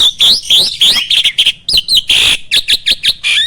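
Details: Starling song meant to provoke other birds into answering: loud, harsh, crowded notes mixing rasping chatter with short high whistles, delivered in quick choppy bursts.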